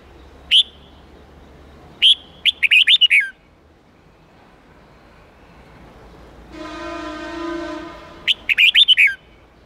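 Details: Red-whiskered bulbul singing a wild-standard 8-9-10 note song, used for training young birds to learn the song. Bright whistled notes and quick fluttering phrases come in bursts between pauses. A steady, harmonic, horn-like tone sounds in the gap.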